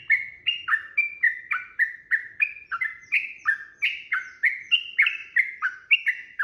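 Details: Sooty-headed bulbul delivering long, rapid combative song meant to goad another bird into replying; quick chain of liquid, downslurred whistled phrases repeated roughly three times a second, steady and uninterrupted, with a quiet background.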